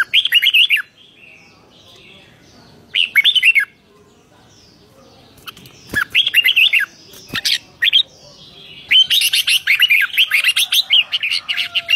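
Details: Red-whiskered bulbul performing excited 'rik' song, 2023: separate short warbled phrases at first, interrupted by sharp clicks, building into a long rapid run of chattering, tumbling notes toward the end.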